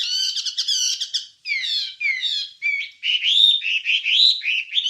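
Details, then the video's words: Wambie song recorded as a master track for training songbirds: rapid chattering, warbled notes, then a run of bright, swooping whistled phrases, each about half a second, with short pauses between bursts. "Ocehan Suara Burung Wambie"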